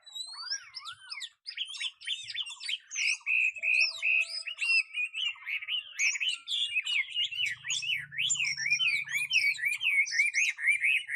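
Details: Competition-stand Chinese hwamei, a big, tame caged bird with a fanned tail, sings a dense, unbroken run of warbled whistles, rolling and twisting without pause for over ten seconds, with a brief low hum midway.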